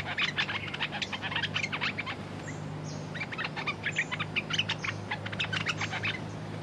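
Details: Red-whiskered bulbul decoy calling to draw in a territorial wild bird: lively runs of sharp chirps and whistled notes in two bursts, with a brief pause between, over a faint low hum.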